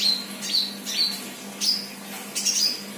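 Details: Untrained sunbird in full song: short, thin, very high chirps and squeaks in quick bursts about every half second, with a steady low hum underneath.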